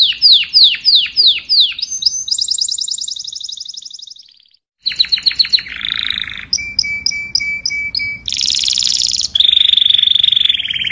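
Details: Canary song for calling the flock, a lively medley of falling whistles, fast high trills and buzzy rattles, broken by a brief silence midway.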